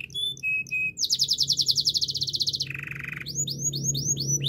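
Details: Canary song opening with short high whistles, followed by a rapid even trill of bright notes, a lower buzzing roll, then a series of swooping chirps repeated about twice a second.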